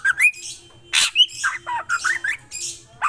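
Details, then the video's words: Black drongo singing vigorously, a mix of short rising whistles and harsh buzzy squawks given in quick irregular bursts, with brief gaps between phrases. "Srigunting krantil gacor"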